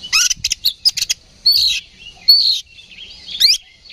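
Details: Fighting song of an oriental magpie-robin, used as a provoking lure: a quick run of chattering notes, then drawn-out buzzy whistles and a final steep rising sweep.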